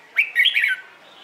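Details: Red-whiskered bulbul singing in the morning for contest training: a single quick, cheerful phrase of rolling whistled notes that rise and dip, over in well under a second.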